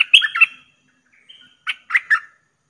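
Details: Streak-eared bulbul cage bird used as a trapping lure: a brief jumbled chirpy phrase, a pause with a faint thin whistle, then three harsh chip notes in quick succession.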